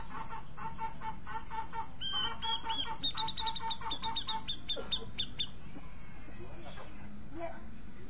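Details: Grey-cheeked bulbul seeking a singing partner, heard as a fast stream of sharp, high repeated notes running alongside a lower, steadily pulsing tone, fading into scattered faint calls and background noise.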